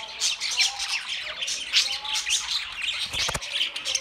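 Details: Flock of budgies warbling and squawking in a steady scratchy babble, broken by a short burst of rapid clicks after the third second.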